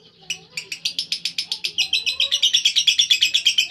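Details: Lovebird ngekek: shrill, buzzy chattering notes that quicken and merge into a continuous high trill, steady rhythm of roughly three to four pulses per second.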